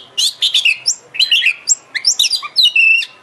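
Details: Energetic Oriental magpie-robin song used as a lure for a kept bird: quick, nearly continuous phrases of chips, rising whistles and scratchy notes, ending on a sustained level whistle.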